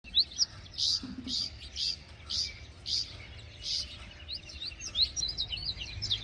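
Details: Female Pied bushchat calling: sharp, high chirps repeated about twice a second in an even series, with a faint low rumble of background noise.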